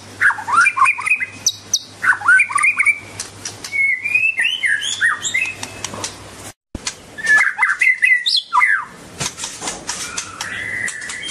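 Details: A white-rumped shama sings and dances: varied melodious phrases of slurred rising and falling whistles and quick chirps, with ticking clicks, a brief gap midway, then a long fading whistle.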